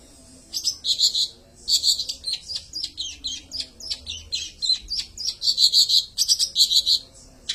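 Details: Long-tailed shrike singing in the peles style: high, rapid chirps and short twittering phrases in quick bursts, with brief pauses between groups of notes.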